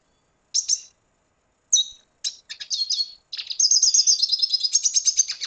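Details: Venezuelan red siskin song opening with a few scattered sharp chirps, then breaking into a long, rapid, continuous twittering warble of high buzzy and whistled notes, quickly repeated, in a quiet setting.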